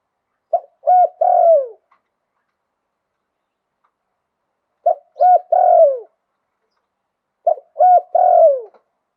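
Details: Spotted dove in Thailand singing 'liu tan' style with a wild voice: three repeated phrases of soft low cooing, each a quick note, rolling coo and long falling coo, roughly every two and a half seconds.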